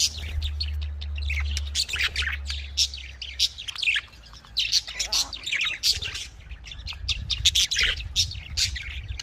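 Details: Continuous budgerigar chatter: rapid overlapping chirps and twittering notes, briefly thinning near four seconds before resuming busily, over a faint low rumble.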